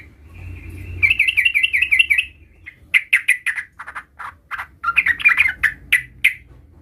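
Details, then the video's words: Young sooty-headed bulbul rehearsing its rolling 'ngerol' song: a rapid rippling trill, then a loose sequence of varied chirps and slurred notes, with another short rolling run near the end. "Trucukan bahan Bakalan langsung NYAUT dengar suara trucukan gacor belajar Ngerol ini"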